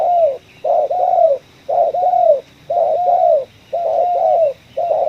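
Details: Spotted dove with a ngeruk-style kuk 1 voice, caught in a coffee field. Loud, steady coo pairs run about once a second, a clipped note followed by a drawn falling coo, and the pattern is highly regular.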